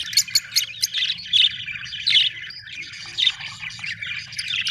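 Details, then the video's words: Happy budgerigars chirping in bursts of sharp, high chirps and scratchy warbles, with short pauses between phrases and a faint low hum beneath. "Australian beautiful birds sound #happy budgies chirping sound"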